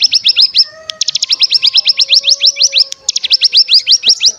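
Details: Lure of bar-winged prinia calls, used to make other prinias sing and trill. Fast runs of sharp, upswept high notes repeat about three per second with brief pauses. A faint low hum and a steady high whine run underneath.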